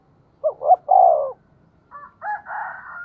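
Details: Spotted dove lure call in the 'giọng thổ' voice for provoking wild birds. One full phrase of two rising notes and a long coo is followed by thinner, higher tonal notes.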